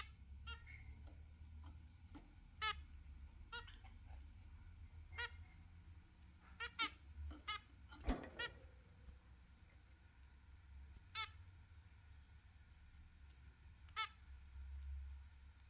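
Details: Zebra finch pair, exhibition birds, calling in morning sunshine in the UK; clipped nasal beeps at irregular intervals, sometimes doubled, with one louder rustling thump midway and a constant low background hum.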